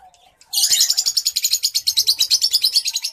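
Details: A White-headed Munia (Lonchura maja) in courtship sings a fast, high, scratchy trill of rapidly repeated notes, about eight per second, with a faint low whistle before it starts.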